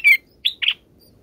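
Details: Bulbul chicks in the nest during feeding by a parent; three loud, clipped high chirps in quick succession, the first longest, then near silence.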